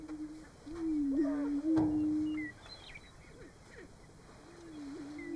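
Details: At a Nebraska booming ground in March, Greater prairie-chickens give drawn-out low hollow moans, with one near the start and another near the end. Brief cackles and a sharper burst sound in between, over a thin high background hum.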